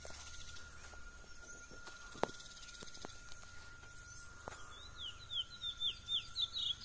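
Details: A wild Chestnut-bellied seed finch sings its natural "mateiro" song in the wild, a quick run of clear, high, upslurred whistles, about four per second, after a quiet start with a steady hum and clicks; the bird approaches the observer.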